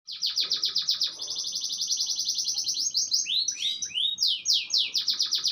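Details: Canary singing in the afternoon: rapid, evenly repeated high trilled notes in a long run, then sweeping slurred whistles and a return to quick trills.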